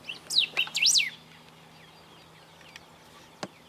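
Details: Golden-billed saltator song from Esperanza, Argentina, recorded in 2019: a brisk second-long phrase of sweeping up-and-down whistled notes, then quiet with a single sharp click; faint insect buzz behind.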